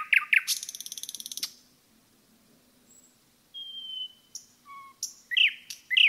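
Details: Common nightingale in woodland, giving two hard notes and a dry rattling trill, a pause, then slow pure whistles, a low whistle and loud sharp repeated notes.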